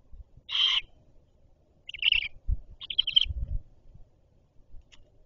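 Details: Great horned owl at the nest as the mother arrives with food: three short, harsh, raspy screeches about a second apart, with low thumps and rustling at the nest.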